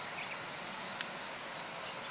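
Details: Zitting cisticola with a very loud song, recorded on 24 June 2013: sharp, high, clipped 'zit' notes repeated evenly about every third of a second, four in a row, over a quiet hiss with one brief click.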